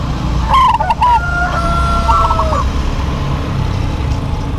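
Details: Local zebra doves in a lively duet. One rolling, trilled coo phrase comes early, then a second, softer phrase sits under a steady, level tone, all over constant low-pitched background rumble.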